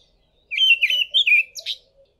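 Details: An olive thrush, photographed singing from a tall tree in South Africa, sings one short phrase of warbled, fluty whistles lasting about a second, ending in a higher, scratchier note over a faint low hum.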